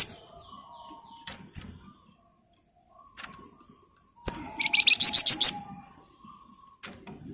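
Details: Flamboyan bird in 'ngebren rapat' song: scattered high clicks, then a rising run of quick, sharp, buzzy high notes, about six in quick succession, with a faint low hum.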